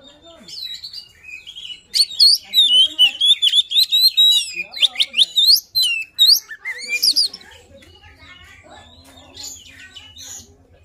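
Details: Oriental magpie-robin of the poci type, a lively luring song: a rich burst of varied whistles, trills and sharp chirps for about five seconds, then quieter scattered notes over a low hum.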